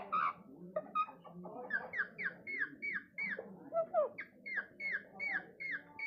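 A rose-ringed parakeet gives a fast run of shrill, squawky notes that slur downward, about three or four a second, after a jumbled, chattering start.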